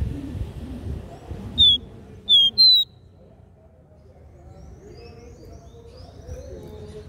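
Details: Capped seedeater giving the regional three-note "dó ré mi" song. Three clear whistled notes come in about one second, each slurring slightly downward, the last one higher. Soft low rumble follows with faint distant chirps.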